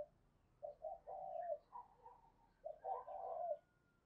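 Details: Decoy spotted dove calling at early morning to attract wild doves. Two phrases of low, mellow coos, each with short notes leading into a longer hollow note, over faint background hiss and a distant thin whistle.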